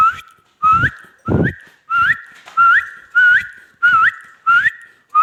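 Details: Pet ringneck parrot talking and mimicking, giving a steady run of eight similar whistled notes. Each starts level, then rises briefly, coming roughly every 0.6 seconds with a breathy rasp beneath.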